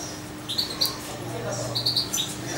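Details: Young European goldfinch, almost two months old and hand-fed as a chick, gives two quick high chirps, then a rapid run of three more, with a low hum beneath.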